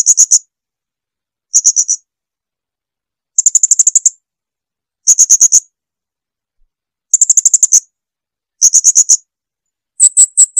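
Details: Clean Blue-crowned hanging parrot song used as tutor material: seven bursts of rapid, shrill high-pitched chips spread over ten seconds, each group of four to eight notes, with silence between.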